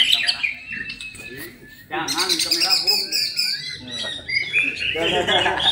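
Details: White-rumped shama song: loud, varied and rich phrases of whistles, chatters and sliding notes, getting louder after a quieter opening, with some background noise.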